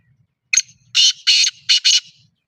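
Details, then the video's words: Black francolin (kala teetar) from Pakistan giving a loud rasping phrase of five harsh, scratchy notes: a short opener, two longer strident syllables, then a tight closing pair, all within about one and a half seconds. "kala teetar ki awaz"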